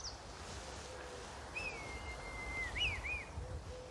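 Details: Red kite, one of two sailing overhead a garden, gives a long, drawn-out high whistle that breaks into a quick quavering, wavering finish, over a low background rumble of wind.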